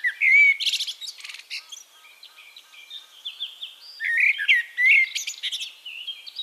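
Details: Eurasian blackbird song from Castricum, the Netherlands: two mellow whistled phrases, each ending in rapid high chattering twitters, separated by softer background warbling.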